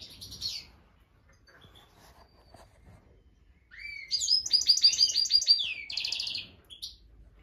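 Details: A Black siskin, recorded around the laying of the first egg, gives a short high note, then a rising slur into a fast, buzzy, high twitter lasting about three seconds, ending with one more brief note.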